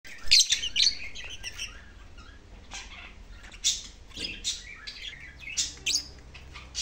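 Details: Lovebird giving scattered high, squeaky chirps and sharp tweets at irregular intervals, some louder bursts at the start and near the end, with a faint low hum underneath.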